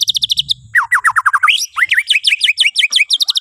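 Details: Bornean white-rumped shama song for prompting other birds to sing at morning: quick high repeated notes, then a series of falling slurred whistles and bright rising-falling notes, delivered rapidly and evenly.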